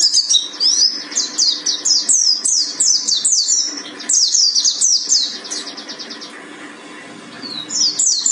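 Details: Mountain white-eye of the buxtoni type from Gunung Karang delivering 'tembakan' bursts: fast series of sharp, high downslurred notes, close to four per second, broken by a short pause before the rattling phrases resume.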